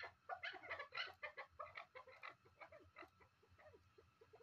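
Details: Captive chukar partridge kept as a hunting bird, calling in quick clucking bursts that crowd together at first, then thin out and fade into softer, spaced notes toward the end.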